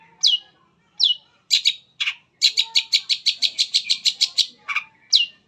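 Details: Long-tailed shrike, part of a varied mimicry song used as a lure for other shrikes: sharp downslurred whistles, then a long run of rapid, evenly spaced high chips, with a final whistle.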